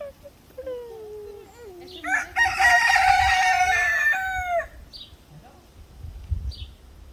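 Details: Rooster crowing: a lower wavering lead-in followed by a loud, sustained, rich cock-a-doodle-doo lasting about two seconds, then quieter clucks and faint background sounds.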